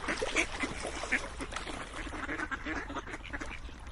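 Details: Ducks in a busy flock produce rapid, overlapping quacks: clipped, reedy and nasal, repeated many times a second as a constant noisy babble.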